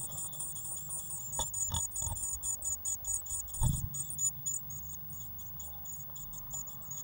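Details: Growing Eurasian blue tit nestlings inside a nest box, 1 June 2016, giving dense, very high-pitched twittering chirps in fast repeated bursts, with a few thuds and scuffling from movement in the box.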